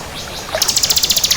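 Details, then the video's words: Crystal variant of bar-winged prinia singing actively: a thin high note, then a fast, very high buzzy trill of evenly pulsed clicks about ten per second. "Suara Burung Ciblek Kristal Gacor"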